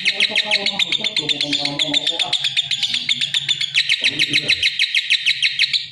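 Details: Lovebird in a long, rapid chattering song of bright repeated chirps, with lower warbling notes and faint background rumble mixed in during the first half.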